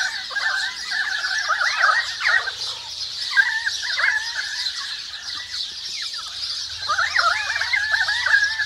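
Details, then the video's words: Several currawongs calling in a forest: overlapping wavering, gurgling mid-pitched notes in bursts, with a pause near the middle, over a constant high twittering chatter of sparrows and other birds. "Call of the Currawongs"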